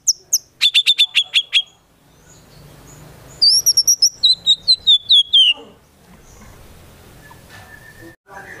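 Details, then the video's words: White-rumped shama singing vigorously on a training track with konin and kinoi fills. A fast run of sharp chips, a pause, then a series of high whistled notes dropping in steps, and one faint later note. "Murai Batu Gacor Isian Tembakan Burung Konin Dan Kinoi Ampuh Memancing Emosi Murai Batu"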